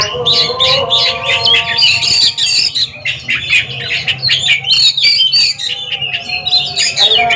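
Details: Two Oriental magpie-robins facing off in a song duel: loud, fast, varied high whistles and harsh chattering notes tumble over each other, with steady low tones humming underneath.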